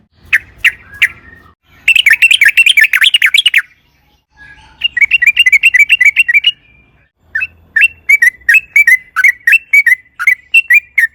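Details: Sooty-headed bulbul in 'ropel panjang' rolling song, intended to lure bulbuls to sing; scattered single chirps, then a dense burst of busy warbling, followed by runs of slurred, bouncing notes.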